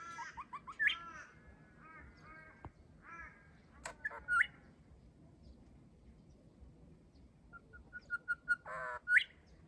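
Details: Grey shrike-thrush, one of a wild extended family visiting an Australian garden on an overcast day, sings rich whistled phrases. Quick repeated notes end in loud upward-swooping whistles, broken by pauses, with a final burst of rapid notes and a rising whistle.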